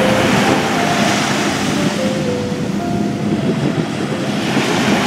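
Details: Loud roaring noise like a passing train or surf, mixed with sustained musical tones and no clear animal calls.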